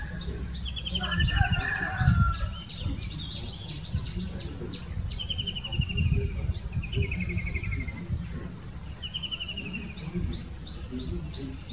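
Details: White-throated Kingfishers calling back and forth, trading shrill, rattling trills that overlap and answer one another every second or two, over a steady low rumble of wind or handling noise.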